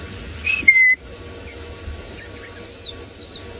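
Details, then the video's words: On a still sunrise safari morning around 7 AM, 19 October 2017, in the Mara, a rufous-naped lark gives a clear, slurred whistle, then faint higher whistled notes, over the steady hum of equipment cooling fans. "But there is a rufous-naped lark whistling away."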